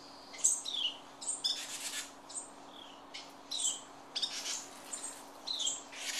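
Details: Protective adult birds scold a person as their three young, raised in a garage nest, make their first flight. Sharp chirps and brief raspy bursts repeat irregularly, several times a second at peaks, over a constant low hum.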